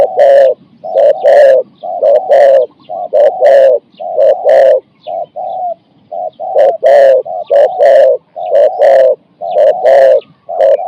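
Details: Decoy spotted dove in a trapping session, singing repeated 4–5-note coo phrases. Continuous deep, hollow coos come in clustered groups of two or three, about once a second, with a quiet background.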